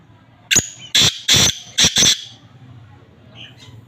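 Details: Black francolin, male, calling: five loud harsh grating notes in quick succession over about one and a half seconds, the first short and the rest broader, then faint background noise.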